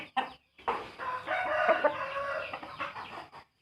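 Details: Rooster with a trumpet-like crowing voice gives one long, sustained crow of about two and a half seconds. It is harsh and rich in harmonics, steady in pitch, and starts after a short sharp note.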